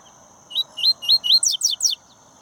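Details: Double-collared seedeater from a breeding aviary, singing in the "tui tui zero zero" style: four wavy whistled notes, then four rapid high descending sweeps in about 1.5 seconds, over a steady thin high background tone.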